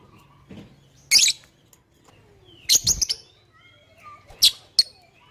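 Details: Lovebird, recorded to prompt other birds to call along: loud harsh buzzy shrieks in short bursts, a single shriek, then a cluster of three, then two more, over faint low hum and soft distant chirps.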